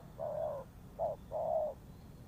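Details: Soft spotted dove coos for luring trapped birds: a long hoot, a brief one, then another long hoot, in a quiet setting.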